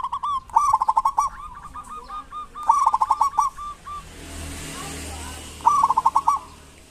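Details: Local zebra dove from Indonesia, kept to lure silent doves into song; rapid stuttered runs of whistled notes in three bursts, a soft cooing between, and a hiss of background noise in the middle.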